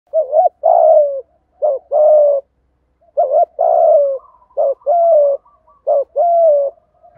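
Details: Spotted dove cooing in the 'thổ' voice style with 'thúc gù' phrases, used to stimulate newly caught captive doves to coo. A short hooked double note, then a long, steadily falling coo, repeated about four times in a clean, quiet recording.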